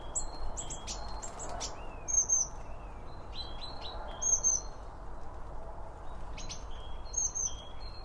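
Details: Feeder birds chirping while they eat, picked up by two microphones set on either side of the feed. There are frequent bright, clipped chirps and slurred tweets, often in small clusters, roughly every couple of seconds, mixed with faint clicks and low rumble.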